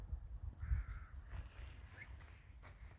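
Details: Winter village crow: one drawn-out, slightly nasal caw near the start, then a brief faint note, with low rumbling background noise and soft knocks.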